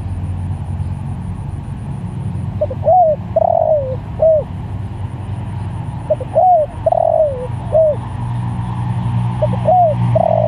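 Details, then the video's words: Spotted dove calling to other doves, giving three phrases several seconds apart, each with soft lead-in notes, an arched coo, a long quavering downward coo and a short last coo, over low background rumble. "Tekukur Sirambo Malemanggil Tekukur"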